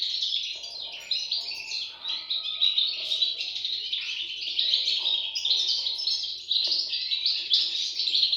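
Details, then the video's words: European goldfinch chicks calling: a dense, continuous chorus of high, thin chirps and twitters that overlap without pause, briefly quieter near two seconds and again around six and a half seconds. "صوت فراخ طائر الحسون"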